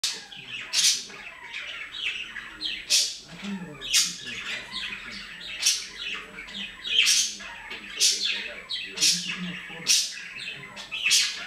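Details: Great tit at a garden bird feeder, a daily visitor, giving harsh, buzzy, broadband calls roughly every one to two seconds, with softer twittering notes between bursts.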